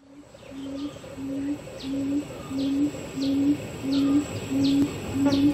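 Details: A male or female barred buttonquail (Formosan subspecies Turnix suscitator rostrata), Pingtung County, Taiwan, 31 May 2020, gives a low, hollow, slightly rising hoot about every two-thirds of a second; faint high chirps from other birds behind.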